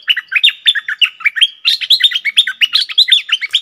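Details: Cream-vented bulbul in lively double song style, dated 18 June 2021, pouring out rapid, liquid chattering notes that swoop up and down in a continuous bubbling stream.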